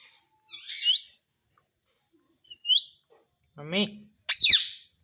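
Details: Talking parrot giving short, sharp upward-slurred whistles, three spaced notes, with one low human word between the last two.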